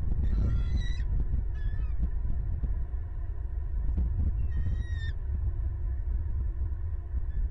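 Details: At a Southwest Florida bald eagle nest on 11 January 2022, as the male feeds the eaglet and the female Harriet, an eagle gives three short bursts of high, thin, chittering, downward-sliding notes over a heavy, steady rumble of wind.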